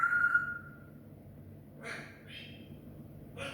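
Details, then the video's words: Pet grey parrot in a talking mood gives a clear, slightly falling whistle, then a few short breathy, speech-like bursts after a pause. "my lovely parrot in talking mood"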